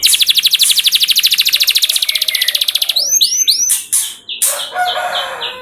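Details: Canary singing, played as a training lure to make other canaries sing: a long, fast, even trill of sharp notes, then curved swooping whistles and a few bright repeated notes.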